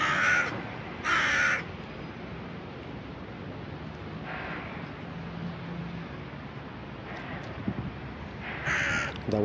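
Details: Crow in a noisy urban setting, guarding a piece of food it found and shouting at the person filming. Harsh, loud caws come in short bursts, with quieter caws between them, over steady city noise and a man's voice speaking Russian.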